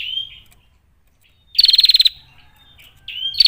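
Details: Female bar-winged prinia call, a lure to incite other prinias. A short slurred note, a pause, then a harsh buzzy rattle of fast pulses and another rising note leading into a new burst.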